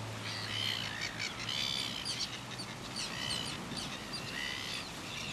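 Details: Red-billed gull with its mate at Ruamahunga, New Zealand, 18 October 2015: a run of harsh, squawking calls with stacked harmonic bands, given in short bursts, over steady background hiss and a low hum.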